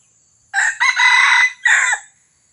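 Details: Crow of a red junglefowl from Johor, used as a lure for wild birds: a loud, harsh three-part crow with a short opening note, a long strained middle section, and a falling tail, over a steady high insect hum.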